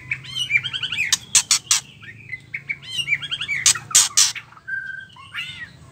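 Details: Female white-rumped shama calling, a sound used to provoke males into singing: harsh loud rattling bursts mixed with varied chirps, whistles and a flat whistled note, over low background hum.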